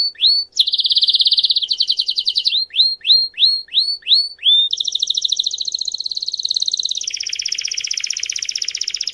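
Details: Canary song used for song training: a fast rolling trill, a series of about six upswept whistled notes repeated in even rhythm, then long buzzy rolling trills shifting lower in pitch near the end.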